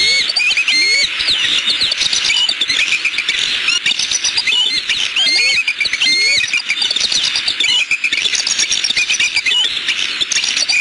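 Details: Nest-camera recording of a bald eagle pair in Southwest Florida, 14 December 2015 around 4:20 pm, calling at an intruder close to the nest: bursts of high, thin piping whistles and chittering notes repeated throughout, with constant background hiss.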